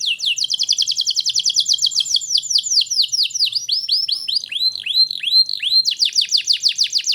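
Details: Canary song used to stimulate young canaries: a long, unbroken sequence of high downslurred notes that slows into wide looping whistles, then speeds up again into a quick series.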